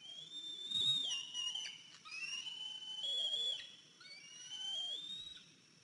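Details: Eagle on its nest late morning, 14 April 2023, after a 103-day-old eaglet came back limping; long, strained high whistles held and wavering, given in three or four drawn-out bursts, with faint lower notes beneath.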